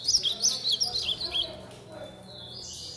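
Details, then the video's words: Young captive Chestnut-bellied seedeater mimicking a blue-black grosbeak: a rapid run of high, twittering slurred notes for about a second and a half, then quiet with a low background hum. "FILHOTE DE GOLINHA BREJAL CANTANDO DE AZULÃO"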